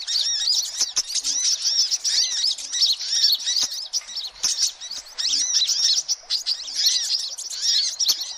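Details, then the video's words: Lure recording of noisy sunbirds for attracting all sunbird kinds; steady, busy chorus of piercing chirps and quick trills, many birds overlapping with no real silence. "suara kolibri ribut"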